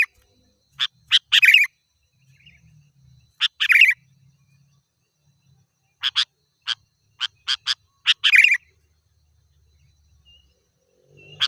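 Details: Sooty-headed bulbul in vigorous voice, played to lure wild birds: crisp chips in pairs and runs broken by harsh chattering bursts, with faint low rumbling between phrases.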